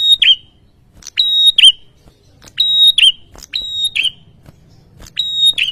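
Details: Ashy tailorbird agitated by a lure sound, calling about five times in under six seconds: each phrase a click, a sustained overtone-rich high whistle and a twisting downward end, loud and close against near silence.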